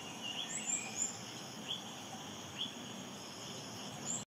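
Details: An olive-backed flowerpecker (Prionochilus olivaceus parsonsi) feeding its young in the Philippines in May 2022 gives thin, high, scattered chips and brief sharp notes, over a steady high insect hum and background noise.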